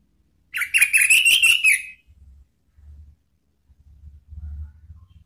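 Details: Orange-headed thrush call used as a lure to provoke rival birds into singing fully. A single harsh, buzzy phrase of about one and a half seconds with a slightly rising tone, followed by faint low rumbling.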